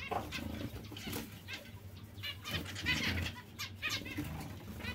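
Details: Zebra finches giving short nasal, harmonic beeping calls in irregular series, several birds overlapping, with a steady low hum and some fluttering and rustling noises beneath.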